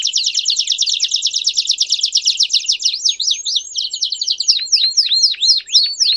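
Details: Belgian canary singing a loud, fast song: dense rapid buzzy trills high in pitch, shifting after about three seconds into slower repeated sweeping whistled notes, several per second, with no other clear sounds.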